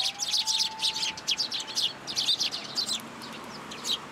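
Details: Juvenile sparrow begging in a plum tree at a Tenmangu shrine, 15 June 2022. Rapid, shrill chirps come in busy bursts, easing to spaced single notes toward the end.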